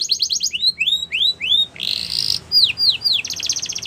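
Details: Canary song for training: a quick trill, a run of rising whistled notes, a harsh buzzy section, three downslurred whistles and a closing rapid trill.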